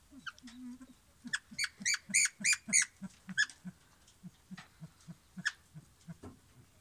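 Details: Silver pheasants, a breed kept in aviaries or on free range in a yard, give a steady series of low, soft clucks about three per second, overlaid midway by bright, sharp, high chirping notes.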